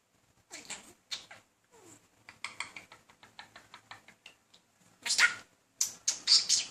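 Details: Indoor male budgie courting a female, persistent yet unsuccessful; a quiet run of rapid ticks and clicks builds to loud harsh scratchy warbling at the end.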